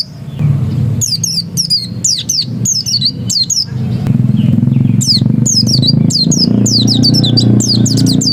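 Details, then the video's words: Oriental white-eye (pleci dakun) in 'ngotot' song: shrill, quick downward-sweeping twitters repeated in dense runs, growing almost continuous toward the end, over a steady loud low rumble. "Suara Ngotot Pleci dakun"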